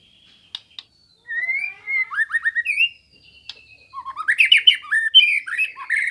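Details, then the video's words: White-rumped shama, murai batu, song used as a master recording for training kept songbirds: bursts of rapid, varied chirps and rising whistled notes, with brief harsh squawky phrases and short pauses between strophes. "Suara Burung Murai Batu Sambo Bahan Pancingan Lawan Materi Masteran Gacor"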